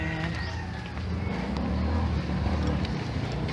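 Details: Loud vehicle engine rumble with faint voices throughout; no animal calls.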